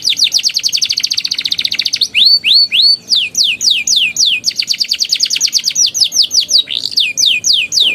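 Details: Young canary in ngeriwik and ngeroll singing style, used as a lure to prompt canaries that have stopped singing: a fast buzzy high trill, then repeated rising whistled sweeps and rapid rolling trills, continuous throughout.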